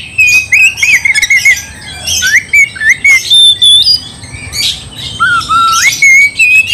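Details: Oriental magpie-robin song aimed at provoking a rival: quick whistled trill, then separated squawky notes, a long level whistle and rising and falling slurred phrases with short gaps.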